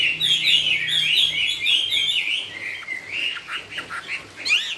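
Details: Hwamei song in the style called 'cao cầu': a run of bright, rolling whistled notes, then a string of shorter, choppier repeated phrases, ending in a high rising flourish.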